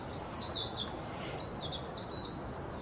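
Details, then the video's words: Warbling white-eye singing in Hashimoto, Wakayama Prefecture, Japan, on 26 June 2021, recorded with a Nikon Coolpix P900: a rapid, continuous, high-pitched twittering warble of quick slurred notes, with a faint steady background hiss. "メジロ さえずり 姿 鳴き声 warbling white-eye song"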